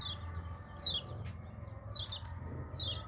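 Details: Hand-raised yellow-vented bulbul producing four high, quick downslurred chirps, evenly spaced, against a low steady hum.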